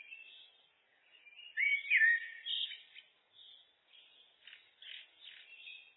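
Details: Common blackbird song in a loop: soft scratchy twitter leading into a loud fluty, sliding phrase, then a series of short, thin chips and squeaky notes fading out. No other sounds.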